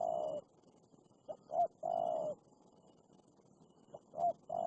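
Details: Aggressive wild spotted dove answering a decoy bird, with deep, mellow coo phrases: a drawn-out note, two brief clipped notes, then another long coo, over a quiet background.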